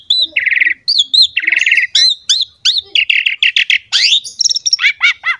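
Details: Asian pied starling in vigorous song used to set off other starlings: buzzy trills, looping whistled notes and fast repeated arched chirps in a continuous stream.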